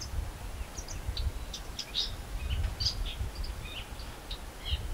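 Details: Blue-tailed bee-eaters at Bued River, La Union, Philippines, on 14 November 2021, in open country by water, give short, high, scattered chirps, several a second, over a steady low rumble of wind or distant noise.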